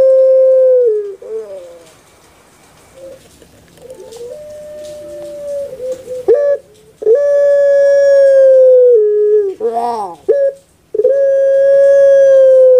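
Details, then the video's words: A captive Barbary dove (Streptopelia risoria), known in Java, Indonesia as puter pelung and prized for its soft voice, gives long, drawn-out coos on one steady mid-pitched note. Each is held several seconds, separated by short wavering breaks. "PUTER PELUNG SUARA EMPUK"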